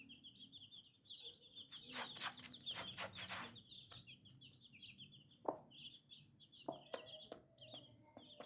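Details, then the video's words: Baby chicks peeping in a steady stream of high, short, repeated chirps, with a few lower clucks and brief knocks underneath. "Chicken Free Sound || Funny Chicks baby"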